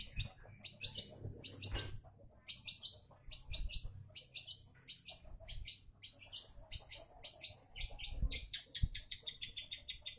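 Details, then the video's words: Lure song of a long-tailed shrike meant to set other shrikes singing: fast, varied chattering of scratchy notes and short trills in dense clusters, with a soft low rumble beneath. "sudah banyak cendet yang ikut bunyi gacor SETELAH DENGAR SUARA CENDET INI | pancingan cendet"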